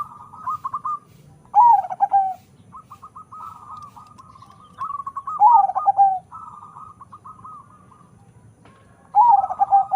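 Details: Three loud cooing phrases from a zebra dove bred by crossing local and Bangkok strains for a powerful voice. Each phrase is a bright swooping note and a few throbbing coos, with quieter trilled coos between them.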